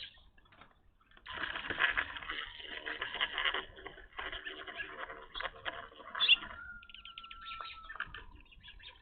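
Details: Evening grosbeaks at a bird feeder, never recorded at this spot before. After a quiet start comes a dense burst of chattering chirps, followed by scattered single notes and a steady thin whistled tone.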